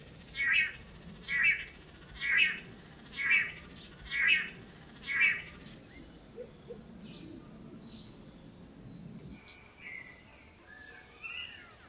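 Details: On a lek in Costa Rica, long-tailed manakin males dance for a female; six regular buzzy calls about one per second open the sequence, then quieter scattered chirps and soft background noise follow.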